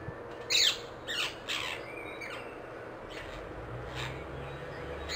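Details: Wild rose-ringed parakeet, ringneck, calling outdoors, said to be in Amsterdam: a loud harsh screech with a downward sweep, followed by two or three fainter raspy squawks about half a second apart over steady background hiss.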